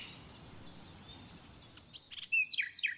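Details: A common nightingale sings a quick burst of clear whistles and sharp, downslurred notes, rising to loud, rapid phrases after a faint, hissy opening.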